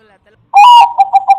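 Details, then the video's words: Zebra dove, Bangkok type, calling as a lure for other doves: one loud sustained mid-pitched note followed by three quick, evenly spaced staccato pulses. "Bunyi burung perkutut bangkok"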